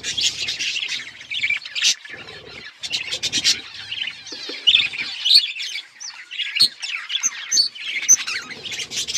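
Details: Flock of budgies eating food, giving a dense stream of scratchy, warbling chirps from many birds at once, overlapping without pause, with quick bursts of sharper squawks.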